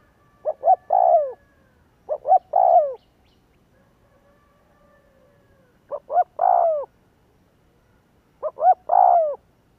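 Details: Spotted dove lure call to make other doves coo. Four phrases, each two short notes and a longer descending coo, repeat with irregular gaps over about ten seconds. A faint thin whistle sounds in a quiet pause.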